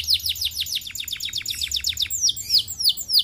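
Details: Canary lure song with a fast, regular run of short descending chirps, followed by slower, louder downward-sweeping whistles.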